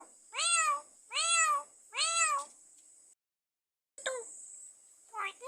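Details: Pet myna, kept four years, mimics a cat with three drawn-out, nasal meows in quick succession, then shorter clipped meows after a brief pause; a steady high hiss runs underneath.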